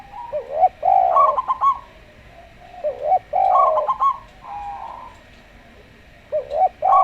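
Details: Slow-voiced local zebra dove with a calm Javan derkuku. Dense bursts of quick clipped notes blend into warbled coos in three main phrases separated by short gaps.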